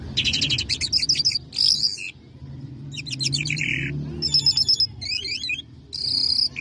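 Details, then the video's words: Lark known locally as Mashadi jal, Irani or Afghani jal, singing: bursts of rapid buzzy trills and sharp high whistled notes in short phrases separated by brief pauses, over a steady low hum. "Mashllah Mashadi Jal Singing( Irani jal ) [Afghani jal Full Sining] Larks lunda jal مشهدي جل"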